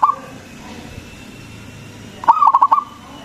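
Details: Local zebra dove with a big, strong voice, singing a lure song meant to provoke other zebra doves into calling: a brief note at the start, then a quick burst of five or six stuttering, rolling coos after a quiet stretch.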